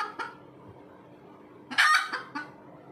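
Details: Red junglefowl giving its post-laying call: a faint cluck, then a loud, harsh, ringing squawk and two shorter clucks.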